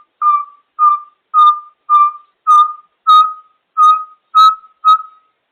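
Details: An African grey parrot kept as a pet gives a series of nine loud, pure whistled notes of even pitch, each short and slightly dropping, spaced about every 0.6 seconds in a steady rhythm against silence.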